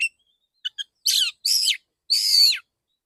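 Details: Male white-rumped shama in a training session: a faint whistle and two soft chirps, then three loud full phrases, buzzy with a strong down-slurred whistled core.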